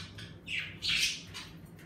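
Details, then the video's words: A budgerigar kept as a pet in a bird room gives two short harsh squawks, the second louder and broader, over a faint low indoor hum. "Birds room streaming #budgies #parakeets #セキセイインコ"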